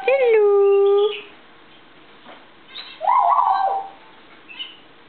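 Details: Pet African grey parrot in a good mood, full of morning energy on a kitchen table indoors: one long steady whistled note with rich overtones, a pause, then a harsh nasal squawk and a brief softer call.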